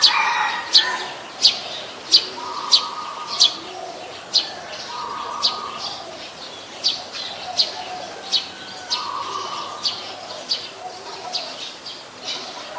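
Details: Brown-throated sunbird in Ubon Ratchathani, Thailand, 13 January 2021, captured on a Nikon P1000: a fast run of thin, high chips at irregular intervals, with a steady mid-pitched droning tone coming and going behind.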